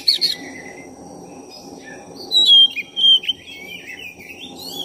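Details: Black-chested oriental magpie-robin singing as a lure to rouse another bird: a quick doubled chirp, then after a pause a long wavering whistled phrase gliding downward, above continuous low background noise.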